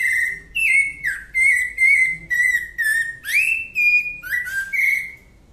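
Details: Rufous-bellied thrush singing in the Santa Fé song style: a run of clear whistled phrases, each slurring or gliding, repeated about twice per second with short gaps, in a quiet background.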